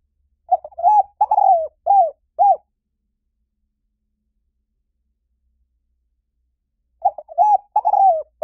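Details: Spotted dove lure recording, said to bring birds in fast in any forest: two phrases of short low hooting notes, each ending in a longer falling coo, separated by about four seconds of quiet.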